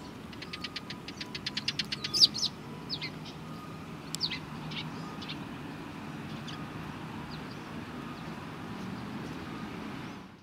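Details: Sparrows at a Tenmangu shrine on 31 March 2020 give a fast run of sharp, ticking chirps for about three seconds. Scattered single chirps follow, then fade into steady low traffic rumble.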